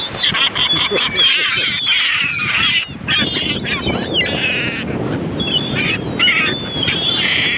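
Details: Loud, overlapping gull cries, with long wavering squeals at the start and shorter yelping notes later, forming a steady chattering chorus.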